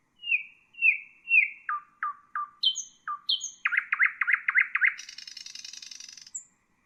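A nightingale sings a varied phrase: three drawn-out whistles, lower clipped notes, a fast throbbing series, then a dry buzzy rattle ending on a high note.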